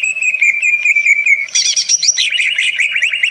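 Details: Greater green leafbird, said to mimic many sounds and provoke other birds: a loud, fast-trilled steady note, then bright high whistles breaking into a run of varied, tumbling phrases.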